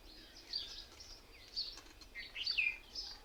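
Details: A group of mynas gathered in a single tree: scattered squeaky chirps and short whistled notes rising and falling among overlapping voices over a faint low hum.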